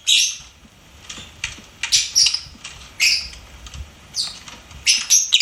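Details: Lovebird kept as a pet, giving clusters of shrill, high chirps roughly once a second, with quieter rustling between the bursts.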